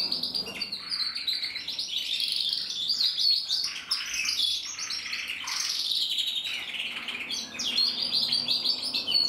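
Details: Red mosaic agate canary cock from a breeder's stock, 2024, delivering a continuous bright song of fast rolling trills, chirps and short whistled notes, high-pitched and sustained throughout with slight dips in loudness.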